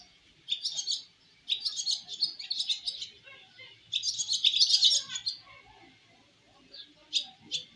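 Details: Swallow chicks taking their first flight from the nest, chattering in three rapid bursts of high twitters, each about a second long, then a quieter pause and two final sharp chirps.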